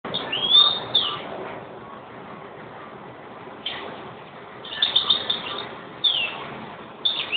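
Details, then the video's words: European greenfinch singing: bursts of bright twittering and trilled notes, some slightly wheezy, given in short phrases separated by gaps of one to two seconds against a hissy, muffled background. "Green finch"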